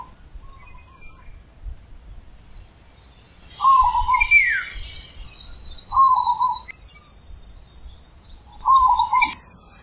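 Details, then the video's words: A zebra dove gives deep, rich cooing song in three rolling, slightly trilled phrases spaced about two to three seconds apart. Other birds add a descending whistle and a buzzy trill in the background. "Perkutut Manggung ULEM Super BESAR"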